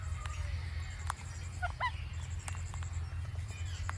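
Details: Indian ringneck parakeet making natural clicking sounds: scattered sharp dry clicks and a couple of short rising chirps, set over a steady low hum.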